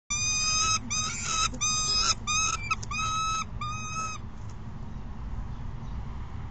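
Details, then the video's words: Juvenile peregrine falcon in late May 2016, chasing its mother back onto the perch and screaming for food: loud harsh rasping screams, harmonic-rich, repeated in quick bursts for four seconds, then fading into low background rumble. "chases Astrid out and screams for food"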